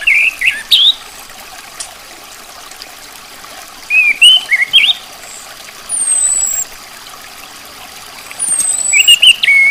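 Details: Female orange-headed thrush giving short, rising and falling chirps in scattered clusters, with thin, very high drawn-out whistles between them, all over continuous trickling water.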